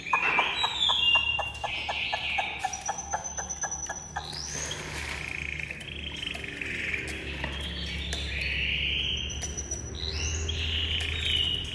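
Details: Tame Chinese hwamei: a string of dry rhythmic clicks opens, followed by varied swooping whistles and warbled phrases, somewhat softer.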